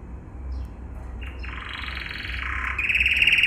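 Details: A yellow canary sings a training song: a fast, continuous rolling trill, high and bright, growing louder and more buzzy toward the end over a low background hum.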